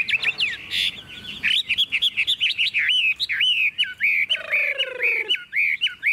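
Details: Hand-tamed caged Chinese hwamei singing while the cage is carried and shaken: rapid chattering whistles, then clear repeated looping notes, and a drawn nasal tone underlying a regular series of short whistled phrases.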